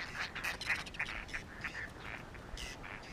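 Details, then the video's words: Whiskered terns at a breeding colony on water chestnut and lotus beds, Astrakhan Nature Reserve, Russia, 22 July 2017, still on clutches and building nests, give harsh, rasping, overlapping calls, about three a second, over steady hiss. "Белощёкая крачка (Chlidonias hybrida) - Whiskered tern"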